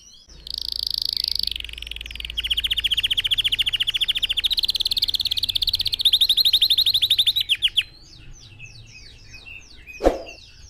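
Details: Red factor canary singing to train other birds, with a steady high note sliding into long rapid rolling trills that speed up, then quick chirps and a sharp click near the end.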